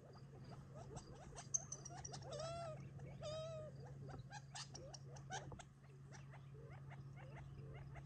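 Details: Wild Gambel's quail feeding together in July, near Tularosa Creek, before going to roost for the night: a busy chatter of short clipped notes with two longer, tonal, bending calls early on.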